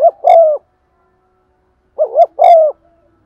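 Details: Lure spotted dove cooing to excite other doves, 'giọng son' style: two phrases, each a brief quavering note then a drawn-out, gently descending hollow coo, separated by nearly two seconds of silence.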